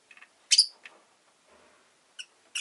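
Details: Pet rosy-faced lovebird making a loud, piercing chirp followed by softer scratchy notes and two more shrill calls at the end, with faint low murmuring in between.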